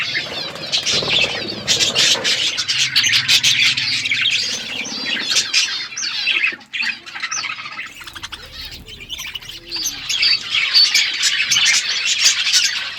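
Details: Morning chorus of budgies: busy, overlapping warbling chirps and scratchy squawks from a flock, surging in loud bursts, dipping briefly around the middle, then building again, with soft low rustling beneath.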